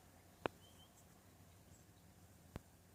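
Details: A woodpecker in a backyard, heard in the mornings, gives two sharp, clipped notes about two seconds apart, the first much louder, over a quiet background hum.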